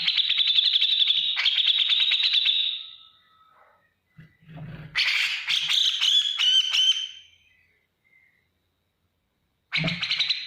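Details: A grey-cheeked bulbul delivers energetic ngetik ngipik song for training other cage birds: a fast ticking trill, silence and a low knock, then a harsher chattering phrase, and a last burst after a pause.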